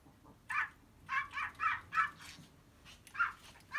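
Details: Domestic budgerigar imitating a dog's bark, as if it believes it is a dog: short harsh yapping bursts, one or two at a time, spaced irregularly over a few seconds in a quiet room.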